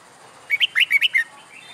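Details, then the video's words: Fighting-song practice by a recently caged wild-caught red-whiskered bulbul: a short, rapid run of six liquid whistled notes, bouncing up and down, delivered in under a second. "Luyện Chào Mào Hót Đấu"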